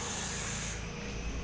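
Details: Adult barn owl (Tyto alba) inside an abandoned building near Guárico reservoir rice fields, Venezuela, where a pair nests with chicks, gives a harsh, breathy hiss, a long rushing sound like escaping steam.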